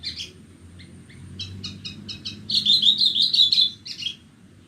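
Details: Branjangan borneo, Horsfield's bush lark, singing on a clear morning: spaced high chirps build into a dense, rapid twittering trill of bright warbled notes, then fade back to a few chirps, with a low background hum.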